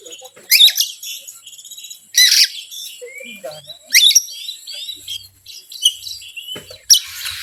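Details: Oriental magpie-robin song used to provoke other birds: loud harsh bursts roughly every one and a half seconds, with whistled and warbled phrases filling the gaps between them.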